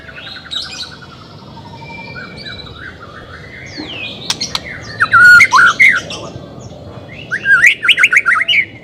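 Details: White-rumped shama being coaxed to sing: soft buzzy notes and a sweeping whistle give way to loud, clear slurred phrases in quick, repeated bursts near the end.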